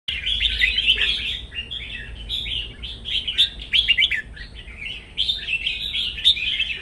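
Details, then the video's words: Birds singing in a morning singing contest in the sun, a dense, continuous stream of chattering, warbled high notes with many overlapping phrases and short gaps, steady throughout. "Hoàn thiện lông nắng sáng hót đấu"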